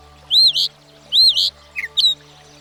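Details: Northern Mockingbird, a bird learning up to 200 sounds, giving two loud arched whistled phrases followed by short sharp chips, over low background music.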